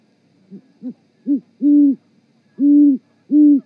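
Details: A pair of great horned owls gives a mating duet at the Charlo, Montana osprey nest at 18:12 on 7 February 2018, in deep, soft hoots: three quick short notes, then three long level hoots about a second apart.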